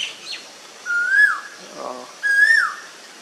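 An Asian koel gives two loud, clear whistled notes about a second and a half apart, each rising then dropping sharply. A faint low murmur sounds between them.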